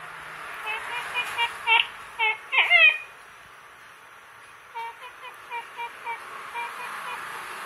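Siamese fireback giving two bursts of short, nasal, clucking notes, about three per second, with a faint steady high hiss behind.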